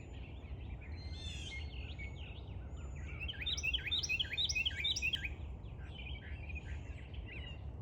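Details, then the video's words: Tiny bird singing loudly outdoors: a rapid series of looping, twittering whistled notes, repeated about twice per second, rises above a steady low rumble of background noise. "Tiny bird singing so loud"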